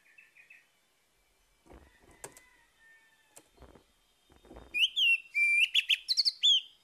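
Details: Morning song of an orange-headed thrush, used as a prompt for a bird that has stopped singing. Quiet knocks and faint whistles open, then a burst of loud, rich whistled phrases with quick slurred and chattering notes near the end.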